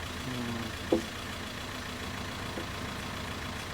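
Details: A vehicle engine idles with a low, steady rumble, and one sharp knock or click near the first second; no animal call stands out.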